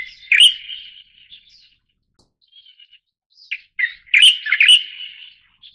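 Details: Leucistic Light-vented Bulbul of the subspecies formosae giving bright chirpy phrases around 2–4k, a burst near the start, scattered soft notes, then a louder jumbled run of chirps and slurred whistles toward the end.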